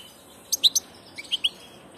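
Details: European goldfinch on passage giving two short groups of three bright, high chirps each.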